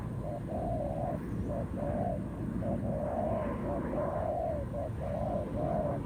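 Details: Spotted dove, a wild bird facing a decoy in a ground trap during a fighting bout, coos steadily: low, hollow paired notes, a brief lead-in then a longer drawn coo, repeated without pause over steady low background rumble.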